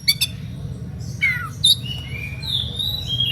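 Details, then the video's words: Oriental magpie-robin giving an excited, fiery whistled song meant to goad rival magpie-robins into answering: a rough chattering burst, then a falling slurred whistle and long thin whistled notes, with a constant low background hum. "SUITAN KACER NGEPLAY EMOSI MEMANCING LAWAN IKUTAN BUNYI"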